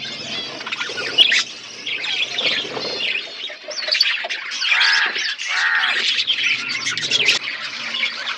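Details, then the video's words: Budgerigars kept in a forest-environment aviary: a mix of squawks, rising and falling whistled notes and scratchy chatter, with louder squawky bursts around the middle. "Budgies parrot in forest environment aviary birds chirping sound"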